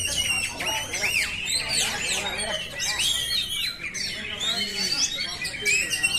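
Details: For training caged birds, a simulated oriental magpie-robin song: looping, slurred whistles and curved sweeping notes mixed with short chips, steady and loud.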